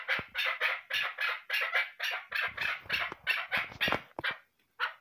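A female chukar gives a fast run of harsh, clucking chuk notes, about three or four a second, rising into a rapid burst before a short pause.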